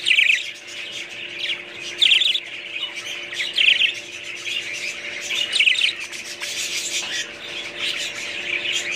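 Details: Budgerigars calling: several sharp, raspy squawk bursts spaced a second or two apart, over steady high-pitched twittering from other birds.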